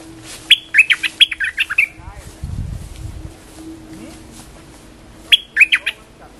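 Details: Caged bulbul used as a lure bird, in full song: two bursts of bright, bubbly whistled notes, rising and falling quickly in a jumbled run, with a quiet gap between bursts and a brief low thump in the middle.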